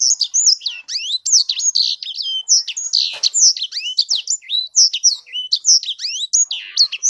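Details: Sanger, a hobby songbird, singing a fierce, continuous stream of high, rapid notes: sharp downslurred whistles, quick rising sweeps and dense buzzy chatter, almost without pause for seven seconds; no other sounds.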